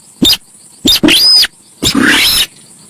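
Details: Javan pied starling giving two quick clicks, a harsh buzzy note with a thin whistled top, then a broad rasping phrase, all loud and close.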